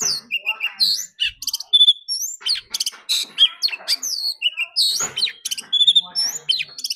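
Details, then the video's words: Oriental magpie-robin singing in competition, urged to sing loudly all day: loud, rapid phrases mixing pure whistled notes, rising slurs and rasping buzzy bursts in an unbroken, jumbled sequence. "Choè than hót đấu déo bổi.kích bổi hót căng.đấu cả ngày.nghe là hót"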